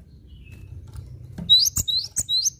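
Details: Cinereous tit, a lively masteran-style singer: after more than a second of soft low background hum, a quick run of four bright rising whistles, each capped by a crisp high tick, follows in close succession.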